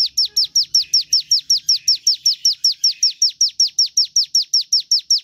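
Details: A Javan tesia (ciblek gunung) repeats high, downslurred notes in a quick, metronomic series, played to coax other birds into singing. Nothing else is heard.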